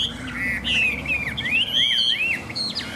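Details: Caged Chinese hwamei, newly arrived that morning and fanning its tail, sings a rich run of varied whistled phrases, rising and falling slurs and quick warbles without pause.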